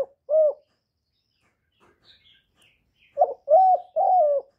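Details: Spotted dove calling and cooing ("gọi, thúc, gù"). A single hollow coo is followed by a quiet pause with faint distant chirps. Then comes a burst of three coos: a clipped note and two drawn-out, even, mellow ones.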